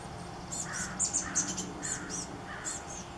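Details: Nestling chestnut-backed chickadees calling from a gourd nest on the morning before they fledge. Rapid, thin, very high squeaks come in quick uneven bursts, mixed with softer lower raspy notes, against faint steady background noise.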